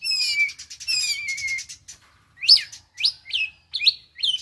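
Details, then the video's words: Young caged Oriental magpie-robin practising 'konslet' singing: long wavering whistles overlaid with buzzy trills, then four loud separate upward-sweeping notes, each with a sharp drop. "Kacer Lepas Trotol belajar KONSLET. Tembakan Mewah"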